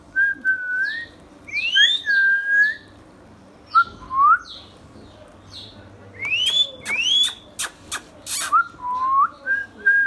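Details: Green ringneck parrot kept indoors. It gives repeated sliding whistles, about one phrase every two seconds, mixed with rising squeals and bursts of harsh squawks, with a few clicking noises.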